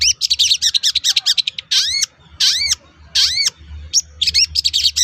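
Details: Lure song of a long-tailed shrike meant to provoke rivals into replying: rapid rasping notes give way to long, loud arched whistles, then more fast chatter, over a faint low hum.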